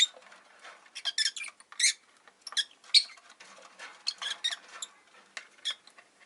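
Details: Five caged rosy-faced lovebirds kept beside a window on a winter day give rapid, harsh, squeaky chirps in irregular bursts, several overlapping sharp notes packed closely together, with short quiet gaps between clusters.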